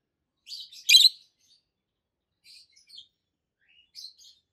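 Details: Two adult peach-faced lovebirds, both green, one red-faced and one yellowish white-faced, chirping: a harsh, shrill double shriek near the one-second mark, then softer scattered high chirps, in a quiet setting.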